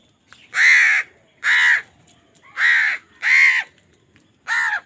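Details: Crows squabbling over food give five loud, raspy caws, each about half a second long and spaced roughly a second apart, over faint background noise.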